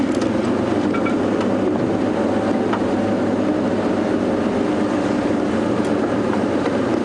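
Steady low vehicle engine rumble throughout, with no animal calls standing out.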